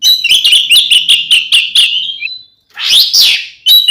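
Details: Oriental magpie-robin (kacer) fighting song for provoking other magpie-robins: a fast rattling series of repeated chips for two seconds, a short silence, then a loud harsh rasping burst.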